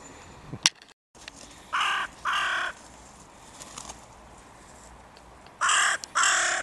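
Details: Crows in spring mating season vigorously defending their breeding grounds: four harsh, buzzy caws in two closely spaced pairs, the first pair near the start and the second near the end, with a quiet outdoor background between.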